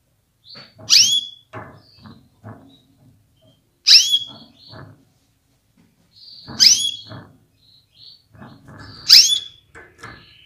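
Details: A female canary calls to rouse males to sing at full strength. Four bright, steeply falling calls come roughly every two to three seconds, between soft clicks and low rustling noises.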